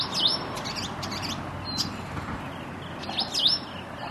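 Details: White-eared Monarch at Dayboro, SE Queensland, on 17 Aug 2010, giving high, sweeping whistled notes that dip and rise, in two short bursts about three seconds apart, over soft background hiss.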